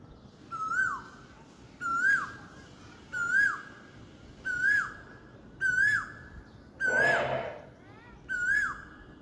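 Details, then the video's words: On a spring morning, an Asian koel gives eight loud, clear whistled 'ku-oo' notes, each rising then dropping, about one every second; a brief burst of rustling noise covers one note. "বসন্তের ভোরে কোকিলের সুমধুর কন্ঠ"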